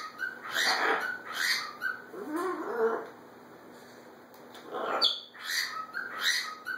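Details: Pair of pet macaws interacting indoors, calling to each other after one bird came out of its box: a series of about six loud, harsh, grating squawks in irregular bursts, some lower and drawn out, separated by short pauses.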